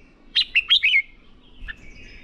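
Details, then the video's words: Short bright phrase from a red-whiskered bulbul in training song meant to stir a bird into lively fighting song: four quick warbled chirps, then a faint softer note and quiet trills in the background. "Chào Mào Hót | QUÁ CHẤT. Luyện chào mào CHÉ/ KÍCH CHÀO MÀO NHANH CHÉ. Chào Mào Ché Kích Bổi Sung Lửa"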